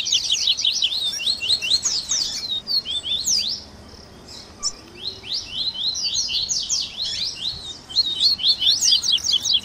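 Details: Double-collared seedeater warm-up chorus for stimulating a caged bird to sing, made of fast high-pitched zigzag chirps in busy bursts, a quieter gap mid-way, then renewed twittering.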